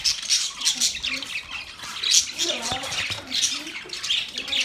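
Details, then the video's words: Steady budgie chatter: many small squeaky chirps and raspy warbles overlap into an even, high-pitched background babble, pulsing gently in loudness. "Birds Chirping sound Beautiful Budgies sound Parrot relaxing voice"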